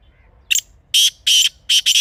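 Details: Black francolin, known locally as kala teetar, giving its grating call: a clipped opening note, then four harsh, scratchy bursts in a quick rhythmic phrase, all in a quiet natural setting.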